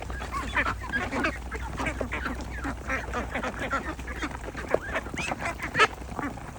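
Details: Ducks and ducklings giving scattered nasal quacks, softer overall with a couple of sharp louder calls near the end over a low background hum.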